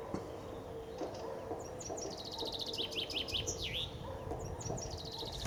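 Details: Several common chaffinches sing in spring beside the Ob River near Novosibirsk, Siberia. A fast series of repeated notes speeds up and drops in pitch, closing with a looping flourish; faint thin notes begin again at the end.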